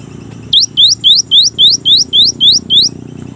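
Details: Cinereous tit (gelatik batu) in energetic song. Nine loud, sharply rising whistled notes repeat evenly at about four per second over a faint low background hum.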